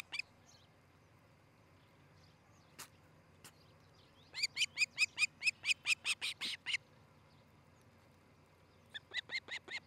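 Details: Osprey on its nest in Charlo, Montana, nest camera, 13 July 2018, morning: a few scattered clicks, then a fast burst of shrill, repeated whistled chirps, and a shorter series near the end.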